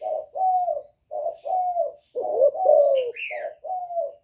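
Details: Decoy young spotted dove calling with bowing coos to provoke wild birds: steady run of low cooing notes, paired and nearly continuous, with a brief higher chirp from another bird near the end.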